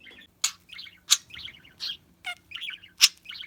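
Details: Budgerigar kept as a pet, chattering for those searching for a lost bird: clear, bright warbled chirps alternating with sharp clicking ticks, about two to three phrases per second, no other sounds.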